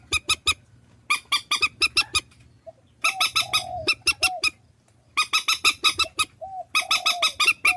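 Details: Rapid bursts of harsh, ringing honks from purple swamphen, a Vietnamese decoy compilation, with occasional softer downslurred whistles between the volleys and a low steady hum underneath.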